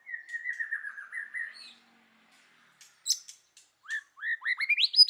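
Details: White-rumped shama, forest-voice style song: a wavering whistled trill slowly falling, a pause with faint chips, then a quickening series of upslurred whistles climbing higher in pitch.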